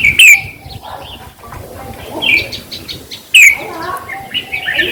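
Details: A red-whiskered bulbul, recorded to be played to caged birds to excite them, sings sharp, loud downslurred chirps at the start and after three seconds, linked by softer rambling whistles.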